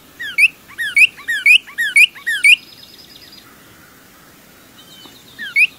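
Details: Female Northern Cardinal singing: a series of six loud slurred whistled phrases, each a falling note followed by a sharp rising one, about every half second, then a softer buzzy trill and quiet pause before one more phrase.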